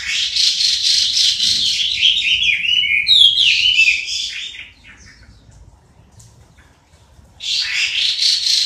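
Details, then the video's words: Chinese hwamei (Garrulax canorus), a southern Chinese songbird, singing a loud, rich run of rapid whistled and slurred phrases, pausing briefly before bursting into song again. "Suara Kicau Burung Hwamei"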